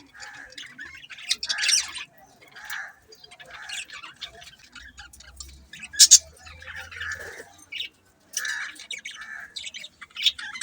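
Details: Several budgies chirp in short bright bursts with scattered squawks, loud spikes near six seconds and eight and a half seconds, and quieter chatter between them. A faint low hum sits underneath.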